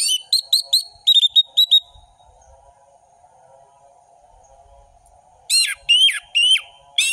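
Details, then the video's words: Orange-headed thrush singing in the lively ngeplong style, a full-variation song used as tutor audio for young birds: clipped sharp whistled notes in quick bursts, a long gap, then loud slurred whistles returning, over a faint low steady hum. "Anis merah gacor ngeplong full variasi"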